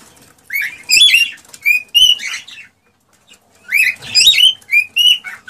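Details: Excited male cockatiel song meant to encourage the female to breed: a phrase of chattering chirps and smooth whistled notes, a silent gap, then a similar phrase repeated.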